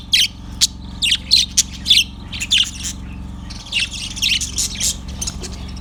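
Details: Yellow budgerigar chirping on February 18, 2024: sharp, high, clipped chirps repeated about every half second, then a denser chattering run near the end, all over a constant low hum.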